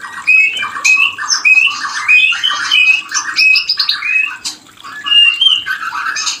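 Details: White-rumped shama mating call played to stimulate breeding in a bird slow to produce; dense run of whistled and warbled phrases, short rising notes and scratchy bursts repeated quickly, indoors.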